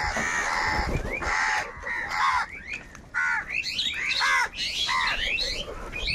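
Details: Angry crows fighting for food: a dense run of harsh, nasal caws, some long and grating, others short and clipped, several birds calling over one another.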